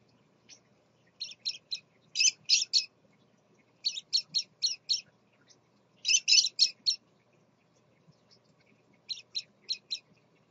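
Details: A Scarlet-chested parakeet father with his babies gives high, scratchy chirps in quick bursts of three to five, a burst about every two seconds, over a faint low hum.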